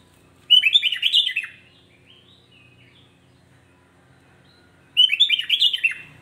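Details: A sooty-headed bulbul sings to provoke rival bulbuls, giving two bright, bubbling phrases of rapid falling and rising whistles about four seconds apart, with near silence between them.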